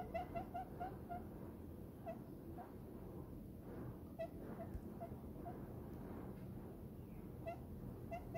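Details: A happy diamond dove rests in its owner's palm and utters brief soft coos. A quick cluster opens the passage, then single notes are scattered with pauses, over a constant low hum.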